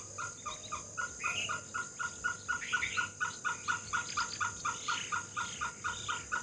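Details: Great hornbill of Assam, locally dhanesh sorai, calling a long series of clipped, throaty barks roughly twice a second, with brighter overlapping notes from a second caller in places.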